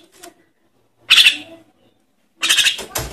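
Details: Javan myna chick calling to attract parent birds: two loud, grating rasping bursts about a second and a half apart, the second trailing into a rougher double note.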